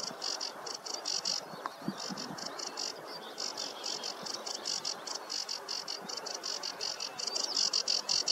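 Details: Sedge warbler in song on a warm morning meadow, recorded 2 July 2024: a long run of rapid, scratchy, high-pitched chatter phrases, briefly broken by a few low clicks, then going on steadily and growing louder toward the end.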